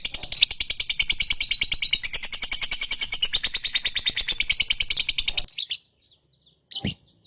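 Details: A lovebird chatters in a fast, steady stream of harsh, high-pitched pulses for about five seconds, then goes quiet. One more short shrill note follows.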